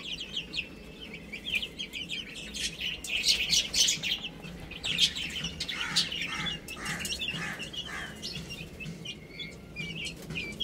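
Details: Several little chicks chirping while they play and eat: a steady chorus of high, short, slightly falling peeps, often overlapping, over sharp tapping and rustling sounds from feeding.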